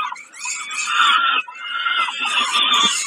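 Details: During a snack at Kawęczyn on 20 May 2022, a peregrine falcon gives sustained, rasping, nasal wailing calls, one long stretch interrupted by a short break near the middle.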